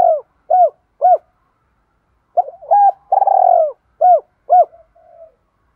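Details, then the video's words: Spotted dove decoy bird cooing to compete with a rival, in a two-ending calling style: soft, low, hollow coos in short separate notes, then a pause, then a run of quicker coos with a longer drawn note, ending quietly. "Tiếng chim cu gáy thúc đấu với bổi nhanh về cội. gáy gọi hai hậu"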